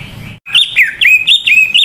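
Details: Greater green leafbird singing a lively lure song meant to prompt other leafbirds to sing: after a brief pause, a run of loud, bright, warbled whistles with quick rising and falling slurs, following one another rapidly.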